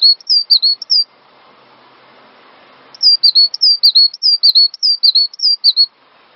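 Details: Cinereous tit song recorded as a master for training songbirds: a burst of ringing two-part whistles, a pause of about two seconds with soft room noise, then a longer run of the same high-to-low whistled phrases.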